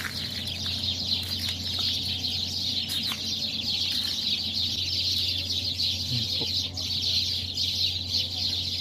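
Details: A large flock in a tree before daybreak, all calling at once: shrill overlapping chirps merge into an unbroken high chatter, a few sharper notes standing out, with a constant low hum beneath.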